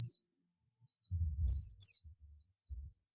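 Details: Buxtoni Oriental white-eye giving the ngalas call to bring other white-eyes: a clipped chirp, then a close pair of high falling notes, with soft low knocks around them.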